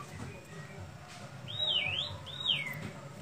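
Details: Sooty-headed bulbul over a steady low background hum: two clear whistled phrases, each rising and then swooping down and up again.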